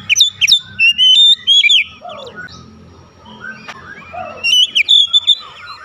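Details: Training recording of Oriental magpie-robin song: fast bursts of sharp whistled notes, a quieter stretch with lower descending slurred notes, then another quick whistled burst.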